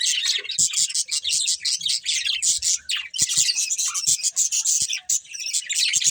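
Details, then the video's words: Pair of breeding budgerigars eating and chirping: fast, harsh, high chatter pulsing in short bursts, mixed with crisp clicking sounds like seed husking. "Beautiful Budgies Chirping Sounds"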